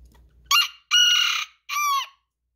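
A bantam rooster crows in three quick, high, harsh phrases, the last one drawn out and falling, all within about two seconds.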